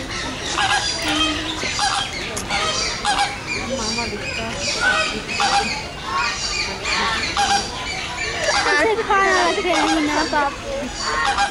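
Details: Sarus crane (Grus antigone) at Mysore zoo giving loud, harsh trumpeting calls in quick overlapping bursts, with people's voices murmuring in the background.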